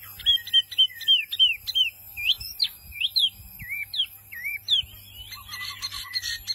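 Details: White-eye singing actively: a run of clear, high whistled slurs, each rising then falling, repeated roughly every third of a second, turning into looping twisted notes, with buzzy noise near the end.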